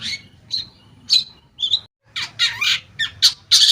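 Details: Long-tailed shrike song used as a lure to make shrikes that have stopped singing start again: harsh, high scratchy notes in separate bursts, a short pause, then denser rasping phrases and sharp squawks.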